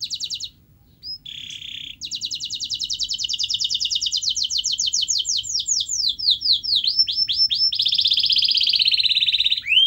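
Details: Canary singing, meant to prompt a silent canary to sing. Brief notes open into a long, even rolling trill that speeds up, then sharp upslurred chips and a dense buzzy roll to the end.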